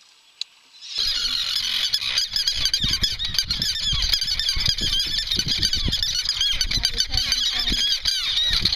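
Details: Common Terns at a noisy, chaotic nesting colony on Ram Island in 2015, recorded during a nest census; dense overlapping harsh, arched calls from many birds at once, with low thumps and handling noise underneath.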